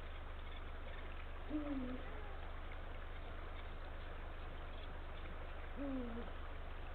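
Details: Two deep, short hoots about four seconds apart from a male Eurasian eagle-owl calling his mate at the nest site, late afternoon, 17 February 2023. Each dips slightly in pitch. Constant low background hum.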